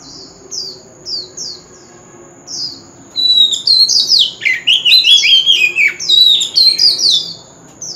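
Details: Lure song of an Oriental magpie-robin, wild-style voice for singing contests: a few short high downslurred notes at first, then after a pause a rapid rich outpouring of whistles, trills and warbling phrases, with a thin steady high tone throughout.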